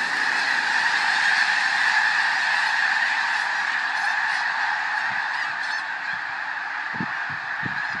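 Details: A big wintering flock of thousands of snow geese in farm fields in Skagit County, Washington, startled into flight by a passing bald eagle, gives a steady roar of high, nasal, yelping honks; wind thumps near the end.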